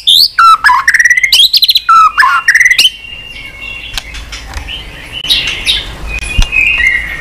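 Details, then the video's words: Caged white-rumped shama, stimulated, sings a string of rapid whistled trills and sweeping notes for three seconds, followed by softer thin whistles and clicks. "chòe lửa hót nhiều giọng lạ"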